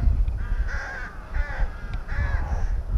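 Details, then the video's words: Three rasping, slightly wavering caws, each about half a second long, from rooks at a nest within a colony at Tyrnovo, with low rumble beneath. "Грачи 160506 1к гнездо в Колонии, Тырново 5"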